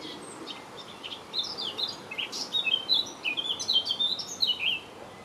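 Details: A Eurasian blackcap, recorded in May 2018, sings a fast, varied warble of bright, high notes building into clearer fluty phrases over about three seconds, against faint background hiss.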